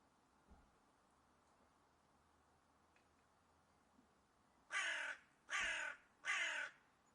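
A hooded crow gives three harsh, raspy caws in quick succession, each about half a second long, after a quiet stretch with faint background hum.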